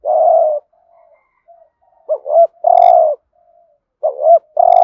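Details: Spotted dove lure bird performing the urging coo routine in hạp bổi voice: long husky low coos alternating with pairs of quick looping notes, with a faint high tick over one coo.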